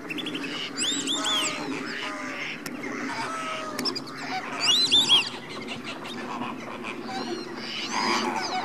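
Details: Pre-bedtime greater flamingo flock at Slimbridge in January: a softer background of murmuring honks, broken by a few louder bursts of high, arching calls.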